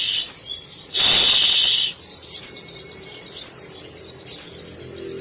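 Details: Brown-throated Sunbird (local name sogok ontong), an active singer whose song borrows canary, cililin, sparrow and lovebird phrases. Short high notes that sweep sharply upward, repeated about once a second, interrupted early by one loud hiss.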